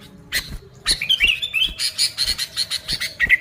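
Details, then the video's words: Sooty-headed bulbul call for luring bulbuls, with a short gurgling whistled phrase followed by evenly spaced harsh chattering notes, roughly four per second. "Suara Burung Kutilang Gacor ASLI Tanpa isian, Ampuh untuk Pikat Kutilang bikin kutilang Ribut gacor"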